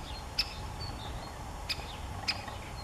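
Three sharp, abrupt 'kik' notes from a great spotted woodpecker, spaced irregularly, over a low background rumble with faint twittering from other birds.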